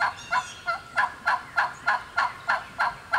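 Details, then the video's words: Excited wild hen turkey, alone in Georgia turkey woods, delivers a regular string of loud, harsh yelping-cutting notes about three per second, each note rough and broad. "Hear that old hen yelping and cutting and clucking like that."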